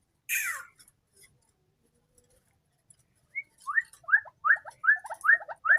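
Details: Tame white-breasted waterhen raised from a chick, calling at any hour: after a sharp opening note and near silence, a rapid series of short upslurred, clucking notes repeated about two to three per second.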